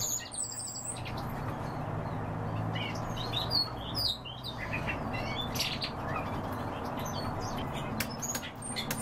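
European bee-eaters give short, liquid rolling chirps in quick, overlapping bursts from several birds, over a steady low rumble.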